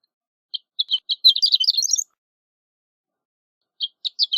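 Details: Song of a horned lark: a few spaced thin chips accelerating into a fast, high, tinkling jumble, then silence before another series of separate high chips begins.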